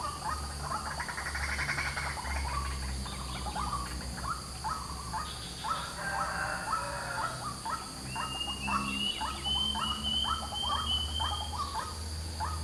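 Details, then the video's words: White-breasted waterhen calling noisily in the morning: a rapid series of harsh, clipped notes repeated about twice a second, over steady insect hum, low rumbling background noise and a thin rising whistle from another bird. "BURUNG RUAK RUAK DI PAGI HARI SUARANYA YANG RIBUT"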